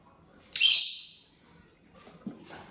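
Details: Lovebird feeding on corn, giving a single loud, shrill chirp that trails off over about a second, followed by faint soft rustling and a small tap.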